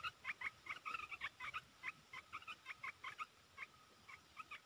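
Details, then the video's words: Red-whiskered bulbul, a caged songbird, giving its rapid 'poet dok' song delivery: quick runs of short chirped, slightly warbled notes in two-note pairs, fairly quiet against a steady background hiss. "เสียงนกกรงตาแดง จ้าวหยกเปิดดอกรัวๆ"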